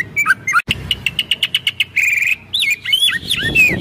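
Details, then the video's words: White-rumped shama (murai batu) singing vigorously in the kretekan style, meant to provoke other birds, recorded 24 January 2023: bright whistled notes, then a fast run of evenly spaced short notes, a held whistle, and twisting warbled phrases. "kretekan murai batu pastol gacor full tembakan.efektif pancing emosi"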